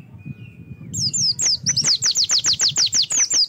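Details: Oriental white-eye song used as a singing prompt: a faint steady tone, then a fast, even series of high descending whistles over a low background hum.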